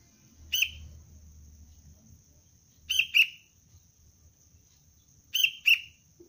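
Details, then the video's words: Sharp chirps from a young sooty-headed bulbul (kutilang cengkram) trained as a luring decoy. A single note is followed by two double chirps, roughly every two and a half seconds. A faint low rumble and a steady high hum are present. "Anak kutilang pelatihan dasar untuk pikat Cengkram"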